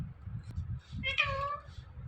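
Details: Indian ringneck parrot talking, mimicking words such as "Mithu": one drawn-out nasal syllable, slightly falling, rises above a steady low background hum.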